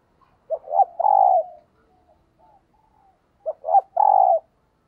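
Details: Spotted dove kept as a decoy bird, singing the thúc gù coo: two short low notes followed by a longer drawn coo, the phrase given twice about three seconds apart, with faint soft notes between.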